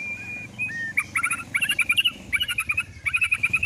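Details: White-rumped shama lure song for provoking another bird to sing: after a long flat whistle, rapid rhythmic bursts of high chattering and trilled notes run almost continuously, over a low hum.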